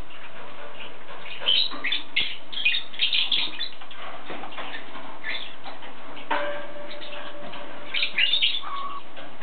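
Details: Short chirping calls from a yellow-sided conure come in a few clusters, with quiet gaps between them and a steady background hiss throughout.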